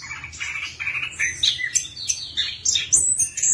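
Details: Orange-headed thrush (anis kembang), a songbird of Southeast Asian forests, singing a rapid, varied medley of sweet whistles, chirps and high trills, shifting pitch every fraction of a second; used as a lure call for birds that have stopped singing.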